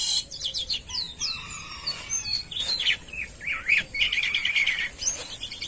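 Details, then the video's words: Asian pied starling singing vigorously: a rich, varied run of whistled notes, rising and falling slurs and quick chattering phrases, loud and continuous over a steady high hiss. "BURUNG JALAK KAPAS GACOR ‼️ Unik Suaranya dan Rame"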